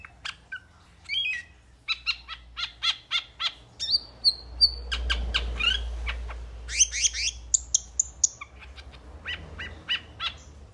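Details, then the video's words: Metallic starling in a busy, chattering run of rapid clicks and chirps, broken by thin high whistles and a few rising, buzzy notes, almost continuous for ten seconds. "Metallic Starling Aplonis Sounds ! Metallic Starling Aplonis Song Metallic Starling Aplonis Call !"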